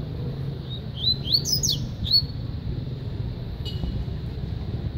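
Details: Coleiro from Paraíba gives a quick phrase of bright, high whistled notes with rising and falling slurs, ending after about one and a half seconds, then only a low background rumble remains.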